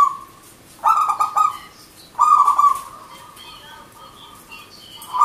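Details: Zebra dove, local wild bird, giving its cooing song: two stuttered phrases of quick pulsed notes, each ending in a long steady purr, plus faint higher chirps in the background.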